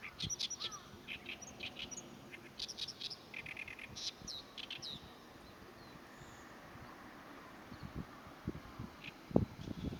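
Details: Territorial song of an Oriental reed warbler, 23 April 2024, loud scratchy gyo-gyo-shi phrases of rasping, clustered notes in the first half, then quieter background with occasional low knocks.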